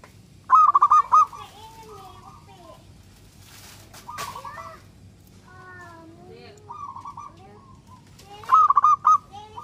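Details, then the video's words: Local zebra dove in full song, a recording meant to prompt other doves to answer. Bursts of staccato, rolling coos repeat at intervals, with softer slurred whistles from other birds between them. "Perkutut lokal gacor suara super ampuh untuk merangsang perkutut cepat bunyi"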